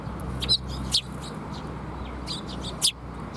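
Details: Sparrows coming to be fed at a Tenmangu shrine: a few sharp, high, separate chirps near the start and end, set against a constant low rumbling hum.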